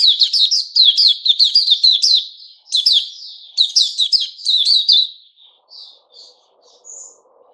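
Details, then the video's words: White-rumped shama performing "sing buka" song on 29 August 2021: a continuous five-second stream of fast, loud chattering and whistled notes, then a few soft, scattered high whistles over faint low background noise. "Puteh Raja Sing Buka"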